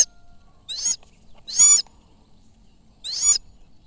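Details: Falconry Sulawesi goshawk out hunting, uttering three strident, squealing cries with a bright nasal ring, spaced at uneven intervals against a quiet background.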